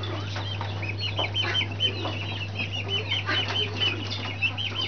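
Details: Group of Brahma chicks peeping, bright high arched cheeps following one another almost continuously, several birds overlapping, over a steady low hum and soft scratching.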